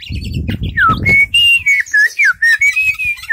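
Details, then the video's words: Kept Oriental magpie-robin displaying with an open tail: loud, clear whistles that drop and rise, several notes each second, with low knocking and rustling noises underneath at first. "burung kacer super buka ekor"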